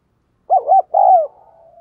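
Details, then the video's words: Caged decoy spotted dove calling hard to lure wild doves: a short burst of two arched, throaty coos, then a longer swelling coo that trails off into a faint drawn-out hum. "Chim Cu Mồi Thúc Và Gáy Gọi Rất Sung"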